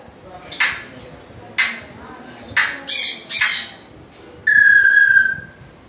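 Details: Grey parrot calling: three sharp, evenly spaced squawks, two longer grating ones, then a sustained clear whistle that sags slightly in pitch.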